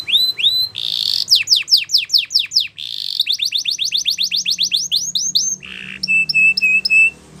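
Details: Spanish Timbrado canary training song: loud varied phrases of rapid descending whistled notes, a brief buzzy trill, fast repeated chips, then ringing metallic notes, all in quick succession.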